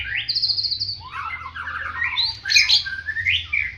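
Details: White-rumped shama with a prinia-like fighting style, pouring out varied whistled phrases with long downward and upward sweeps and chattering middle notes, over a low steady hum.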